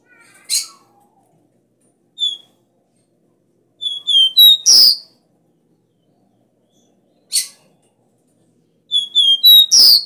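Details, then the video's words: Copper seedeater (caboclinho) singing the strong 'dó ré mi' three-note style, used to train a caged bird: short high whistled notes leading into a loud buzzy closing phrase, repeated twice. "CANTO DO CABOCLINHO VERDADEIRO - DÓ RÉ MI"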